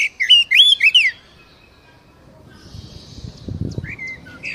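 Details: Oriental magpie-robin used to coax a captive bird to sing: a loud, rich phrase of looping whistles in the first second, then near silence with low rumbling noise and a few faint whistled notes near the end.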